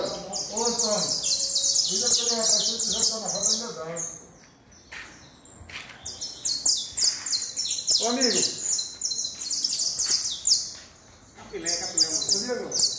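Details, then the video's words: High, rapid chipping song of a saffron finch in dense bursts, broken by short gaps; human talking is heard at the start and again midway. "Canario da terra"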